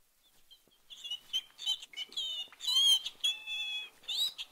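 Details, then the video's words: Pinci, a pet Belgian canary born in 1965, sings high, squeaky, speech-like phrases copied from its owner ("Here are the birds! Lovely birds! Pinchi!") between short trills, after a few faint opening peeps. "Когда эта канарейка поет, то между своими трелями она вставляет целые фразы, перенятые от хозяйки."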